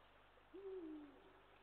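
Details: Eurasian eagle-owl giving a single deep hoot, recorded 20 March 2023; the low note lasts about half a second, holding steady then sliding slightly downward, over a quiet background hiss.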